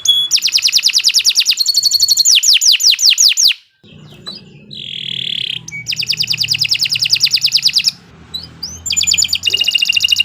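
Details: Canary song used as a master song for training contest birds: rapid repeated trills, slurred descending whistles, a steady pure whistled note, then more fast rolling trills, with a soft low hum beneath.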